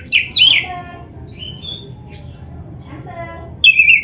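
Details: Oriental magpie-robin (kacer) singing on a masteran training recording for caged birds, full of borrowed phrases: loud slurred whistles at the start, softer scattered whistled notes, then a strong phrase returns at the end over a low murmur.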